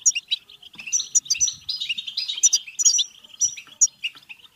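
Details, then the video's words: Goldfinch song meant to spur other goldfinches into singing and mating: fast liquid twitter with repeated sharp whistled notes on top, a steady stream of chirps without pause. "بتبتة حسون فعالة و رهيبة لتحفيز الحسون على التغريد و التزاوج و الهيجان سيغرد دون توقف"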